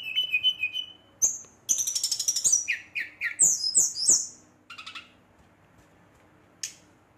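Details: Brown-chested jungle flycatcher in agitated song at night, meant to provoke rivals: short whistled phrases, buzzy rattles and descending slurred notes in bursts, then falling quiet with a single late note.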